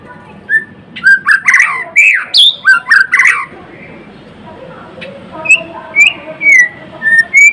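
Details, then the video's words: Murai batu, the white-rumped shama, singing energetically: a dense cluster of loud jumbled whistles and harsh squawky notes, a short pause, then spaced sliding whistles repeated about twice a second. "Kicauan MURAI BATU GACOR (Murai Blorok gacor)"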